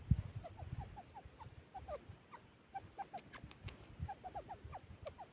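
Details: Female grey francolin calling: a quick run of short, rising piping notes, several per second, over low rumbling noise and scattered clicks.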